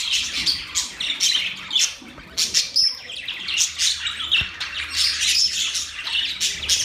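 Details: Budgies singing with dense scratchy chatter broken by a few clear whistled notes and sharp squeaks, a busy flock-like jumble of sounds.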